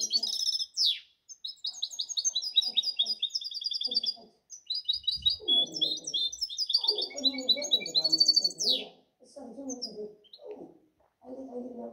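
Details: European goldfinch hybrid recorded in 2019–2020 sings a long run of rapid high twittering and trilled notes, with a sharp descending buzzy sweep near the start and another before the end, while a person talks in Spanish underneath.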